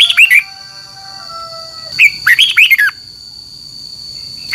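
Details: Red-whiskered bulbul in competitive morning song: two brief bursts of squeaky, warbling notes about two seconds apart, the gap filled by faint fading whistles and a steady high whine.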